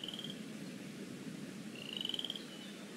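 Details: Eaglets in the Decorah North nest on a lazy afternoon, 13 April 2017, pinfeathers starting to show; two thin, high whistled notes, each sliding slightly upward, over a steady low background hum.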